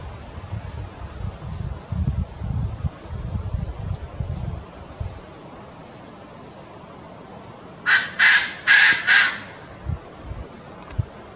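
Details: Koklass pheasant singing while partly hidden: after several seconds of low rumbling wind, a burst of four harsh, hoarse, crowing notes in quick succession, followed by a few faint low thumps.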